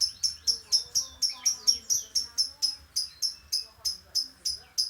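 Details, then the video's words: Lovebird, its sound used to bring birds into breeding condition before a contest: a fast series of high, sharp chirps, each dropping in pitch, about three per second, with softer lower warbling and faint murmuring underneath. "Love bird ngetik di lanjut ngekek"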